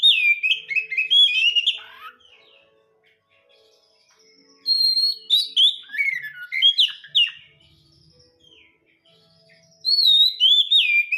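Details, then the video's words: Oriental magpie-robin kept at home, pouring out three bursts of rich, clear song: rapid whistled slurs, twisting warbles and crisp chips, each bout a few seconds long and separated by quiet gaps with a faint background hum. "Kacer Rumahan - Suaranya MANTAP POOLLLLL"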